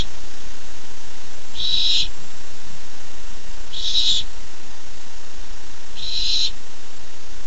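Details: An excited barn owl owlet awaiting a treat, nest camera, 13 July 2015: three evenly spaced hoarse, hissy screeches, each around half a second, separated by two-second gaps of quiet hum.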